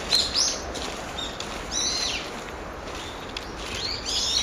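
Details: Brown-eared bulbul in the morning on 26 November, ordinary calls: a loud high squeal at the start, a falling slurred note near two seconds, then rising shrill notes at the end, with quiet hiss between.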